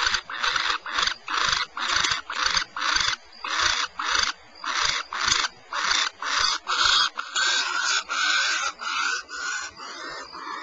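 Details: Barn owls at Starr Ranch, California, giving harsh hissing screeches in rapid succession, almost two per second, each a broad rasping burst; calls grow longer and overlap toward the end.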